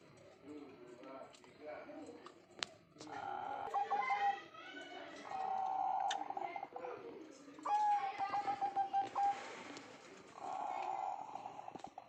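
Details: Zebra dove calling busily in two bouts: rapid, pulsing, slightly buzzy coo notes at mid pitch, each bout lasting about two seconds, with soft background chatter and a few clicks.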